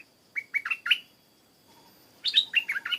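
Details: Stripe-throated bulbul in Thailand: two quick bursts of four or five short, bright notes, each slurring down slightly, separated by about a second of quiet, over a faint steady high hum.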